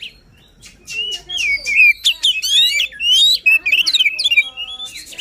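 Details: White-rumped shama in full, emotional song meant to spur a lazy shama into singing: after a brief quiet start, rich whistled phrases, slurred warbles and quick rattling notes follow almost without pause.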